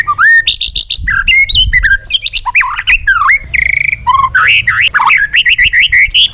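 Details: Training song from a white-rumped shama in forest style, a fast medley of rising and falling whistles, rattling trills, harsh buzzy notes and looping slurs, nearly continuous and delivered at close range.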